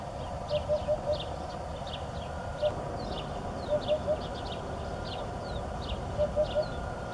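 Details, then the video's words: Eurasian hoopoe calling: soft, low hollow hoots in quick groups of three or four, 'oop-oop-oop', with small birds chirping higher and a steady background hum. "Hoopoe calling"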